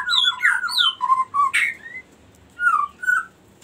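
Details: Gelatik batu, the cinereous tit, in a long rolling ngerol song meant to provoke and train birds. Bright slurred whistles in quick clusters, one harsh broadband squawk midway, then two separate whistled phrases after a pause.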